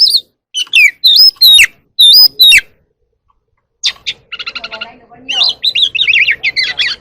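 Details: Oriental magpie-robin singing and dancing in the evening: loud, clear whistled notes with sharp flicks, then a pause. The song resumes as softer, harsher chattering, over a faint low hum.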